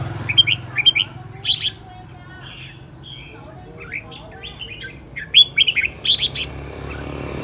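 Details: Aggressive decoy red-whiskered bulbul in song: short whistled phrases at the start, a quieter warbling middle, then a bright burst of rapid, rising and falling whistles.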